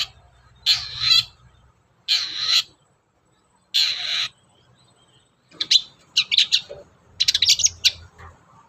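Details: Long-tailed shrike, a lure recording meant to spur a caged bird into full song; three broad harsh rasping notes, then a fast jumble of sharp chattering and squeaky notes, with a faint low hum behind.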